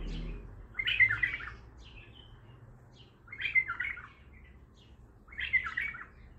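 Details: Baghdadi-style bulbul song from an untrained bird: three similar fluty, gurgling phrases repeated roughly every two and a half seconds. Each phrase starts with a clear whistle and ends in a short chatter, with a low hum behind.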